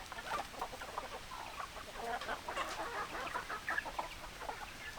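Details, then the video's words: Hens clucking in a flock of domestic chickens. Rapid, choppy clucks overlap in bursts, some louder notes stand out near the middle, and constant low background noise runs underneath. "Chicken Sounds Noises Hens Clucking Roosters Crowing"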